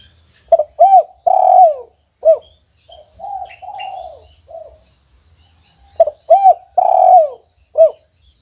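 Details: Spotted dove in a cage, singing in the kuk 1 style. Two strong phrases of rounded coos with a drawn-out middle note and a short final coo, separated by softer, muffled cooing.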